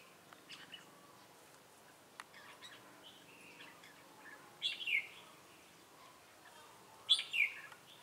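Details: Red-whiskered bulbul used as a trapping decoy in Bình Phước, Vietnam, on 25 June 2018, singing "ché" style. Two short bright warbled phrases with sharp upslurred notes, about two and a half seconds apart, over quiet background with faint distant chirps.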